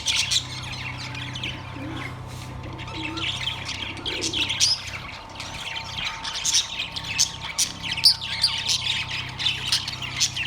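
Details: Caged Australian parrots, budgerigars, on September 3, 2023, chattering steadily with many overlapping high, twittering chirps and short squeaks that grow busier toward the end, with a faint low hum beneath.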